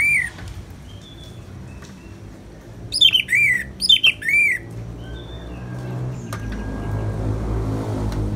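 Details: Ngeplong song of an orange-headed thrush with rain sound: a loud cluster of four ringing, arched notes in two pairs, with a single note at the start and faint whistles between.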